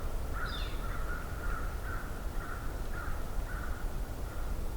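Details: Several American crows approaching, in mid-May 2023 at midday at Johnston Harbour, give a steady run of about eight harsh caws, one every half second, over a constant low rumble, with one brief higher note early on; northern flickers nearby, wind rising.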